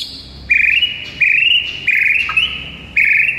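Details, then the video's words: Morning masteran song of a vigorously singing White-rumped shama: loud, clear whistled notes held briefly, four near-level phrases with slight upward slides, separated by short pauses. "PIKAT MURAI BATU ANDA DENGAN MASTERAN MURAI BATU GACOR PAGI HARI INI"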